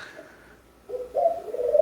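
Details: Background cooing from pet birds in a home: after a quiet start, low, even coos rise and hold toward the end, soft and continuous.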